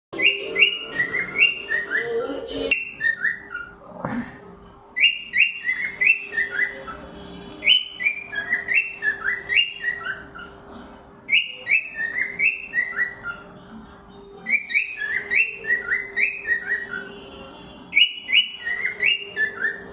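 A cockatiel whistles clear, stepped phrases in quick repeated bursts, some notes sliding downward.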